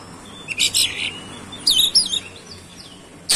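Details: Oriental magpie-robin song used as a lure to provoke other birds into singing: a few short, high, buzzy chirped bursts with brief gaps between them, over a faint steady background hiss.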